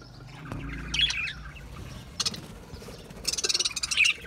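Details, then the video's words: Australian parrots known as budgerigars in song, giving a short warbling phrase, then a sharp click-like note and a quick run of rapid repeated chirps near the end, over faint low rumble. "Beautiful Australian Parrots Beautiful Australian Birds Beautiful Singing Birds"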